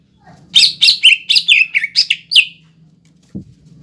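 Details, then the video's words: Greater green leafbird kept as a lure to stir young birds into singing: a quick run of about nine bright, slurred chirping whistles, varied in pitch, followed by silence and a single low thump. "PANCINGAN CUCAK IJO BIAR EMOSI BUAT CUCAK IJO TROTOLAN MUDA DAN OMBYOKAN AGAR BUNYI"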